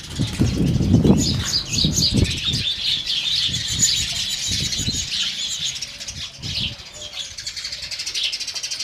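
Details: House sparrow, dense overlapping chirps and tweets running continuously high in pitch, with soft low thumps like wing flaps and rustling in the first two seconds.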